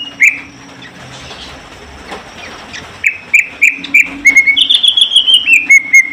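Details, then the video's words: Greater green leafbird in a pairing session: after a quiet start, a handful of short clipped notes, then a sustained high whistle that steps down in pitch, over a low background hum. "Penjodohan Cucak Ijo"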